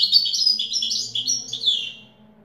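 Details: Short passage of European goldfinch song in the Widani style, quick high twittering notes slurring downward and fading out, with a low background hum.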